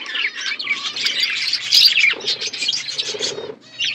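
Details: Budgerigar flock eating winter food, bright chirps and warbling chatter from several birds, briefly dropping quieter just before the end.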